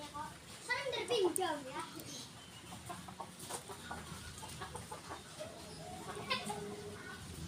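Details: Free-range village chicken kept at home, giving a run of harmonic clucks and short squawky calls, loudest in the first two seconds, then softer scattered clucks over steady background noise.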